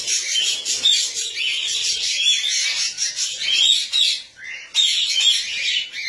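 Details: Pair of pet cockatiels mating for the first time; dense, scratchy high chirping and chattering that runs almost without a break, with one short pause before it resumes.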